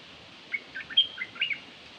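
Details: Dok Taeng bird kept as a decoy, calling in a twittering phrase of bright, high chirps and brief slurs lasting about a second, over a low background hiss.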